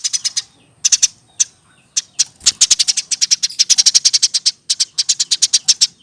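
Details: Eurasian tree sparrow, hand-reared and over a year old, kept in a cage, starting with scattered high chirps that build into dense, rapid runs of sharp, metallic notes delivered in quick succession.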